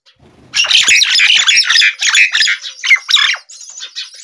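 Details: Hungry baby myna begging: loud, harsh, raspy squawks in rapid bursts, about three or four a second, forming a continuous noisy chatter after a brief quiet start, with a few sharper notes toward the end.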